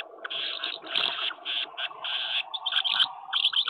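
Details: Common house martins courting at nests on a wooden house in May; steady twittering chatter in linked phrases over a constant low background hum.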